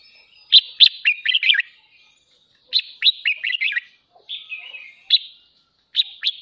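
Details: Pet red-whiskered bulbul singing at dawn as a training song to excite other birds into singing matches; three quick, warbling phrases of sharp, clipped notes about two seconds apart, plus a softer slurred note in between.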